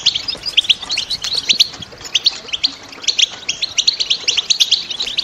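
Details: Female European goldfinches, ready to breed and lay eggs in a cage, give their 'batbata' calls to stir a silent male into singing for the breeding season. Dense, bright, high twittering chirps pour out in rapid overlapping bursts throughout.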